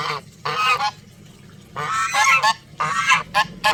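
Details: Powerful, repeated goose honks, harsh and resonant, in close bursts with a short pause near the middle.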